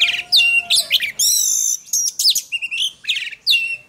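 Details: Oriental magpie-robin singing in contest-training style: sharp chirps open, then a sustained shimmering trill, followed by clipped whistles and warbled notes in quick succession.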